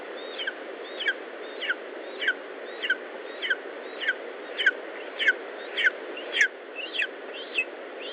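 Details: Lesser spotted eagle at its nest in Estonia, recorded 19 July 2012 at 10:54 in the morning: a sharp, descending yelping note repeated about every half second, fairly evenly, over a steady hiss of wind-like background noise.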